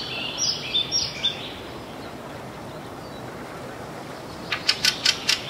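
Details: Fieldfare (Turdus pilaris) giving harsh, dry chack notes, possibly with some alarm calls mixed in: a few scratchy calls, then a quick run of four, over steady outdoor hiss; northern Sweden, 6 June 2022.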